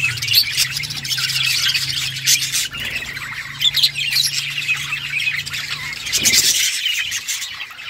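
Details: Several budgerigars playing with each other, a dense stream of high chattering chirps and scratchy squawks running throughout, with brief louder bursts near the end.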